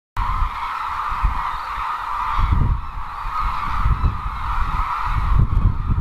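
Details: Cranes at the Izumi crane arrival grounds in Kagoshima Prefecture, Japan: a dense, unbroken chorus of many birds calling at once, a steady mid-pitched clamour with low rumbling wind or handling noise underneath.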